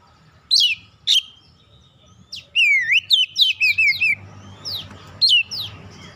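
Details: Magpie-robin lure song to prompt other birds to sing. It begins with isolated sharp downslurred whistles, then a rapid run of looping, dipping whistled notes, and ends on a single falling call against soft background noise.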